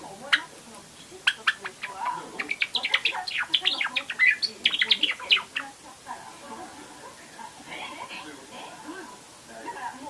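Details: Young pet Java sparrow, about two and a half months old, at home practising its song (subsong), taped on an IC recorder: bursts of rapid clicking chirps and twittering notes, then softer murmured phrases over light background noise.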